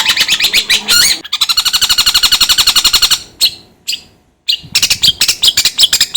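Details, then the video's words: Long-tailed shrike giving a loud, rapid series of harsh, buzzy pulsed notes, a steady rattling chatter of about twenty evenly spaced bursts, broken by short gaps and then resumed as a quicker scratchy sequence. "DENGAR SUARA INI CENDET JADI ON"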